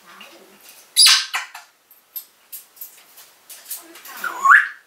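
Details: Caged African grey parrot kept as a pet, recorded in 2012 while talking and calling a family member's name: one loud rasping burst, several short clicks, then a rising tonal squawk at the close.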